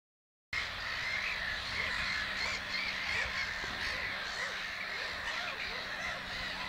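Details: Black-headed gull colony at Naturum, Lake Hornborga (Hornborgasjön), with a bird preening and resting from nest building; after a brief silence, a dense, continuous chorus of harsh, overlapping squawking calls with a steady low hum beneath.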